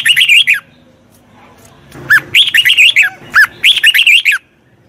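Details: Red-whiskered bulbul singing, recorded to train a wild-caught bird: repeated chattering phrases of bright notes that rise and fall, a pause of over a second, then a longer stream of similar warbles.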